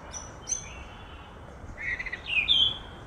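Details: Cape robin-chat singing: a few short high whistled notes over a steady background hiss, with brief rising and falling phrases near the end.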